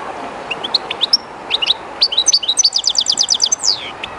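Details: Kept European goldfinch, somewhat shy in the unfamiliar spot, singing close to the flowing water of the Jerte River: scattered high tinkling notes build into a fast run of repeated twitters, ending in a downward slurred note over a soft water hiss.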